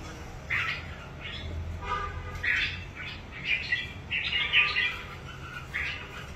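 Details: A red-whiskered bulbul being readied for a singing competition delivers a series of short, fluty, chattering phrases about every second, against steady low-pitched background noise.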